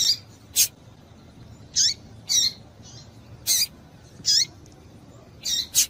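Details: Female double-collared seedeater calls, used to rouse males for singing tournaments: around nine crisp, very high chips, some slurring downward, coming in quick irregular succession with no other sounds.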